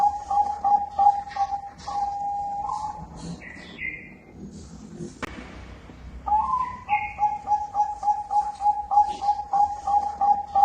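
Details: Zebra dove of the Bangkok type in strong gacor voice, giving a fast run of clipped coos on one steady pitch. The run breaks midway for a pair of rising whistled notes from another bird before the rhythmic cooing returns.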